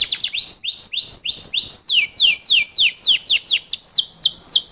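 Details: Canary singing a fast series of repeated upslurred whistles, then downslurred notes from about two seconds, each phrase sounding roughly four times a second in a clean, loud recording.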